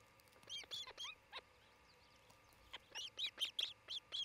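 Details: Osprey pair at their nest in Charlo, Montana, recorded by a nest cam on June 27, 2018, late morning: rapid bursts of sharp, high whistled chirps, a quick cluster, a pause, then a steady run of about eight similar notes.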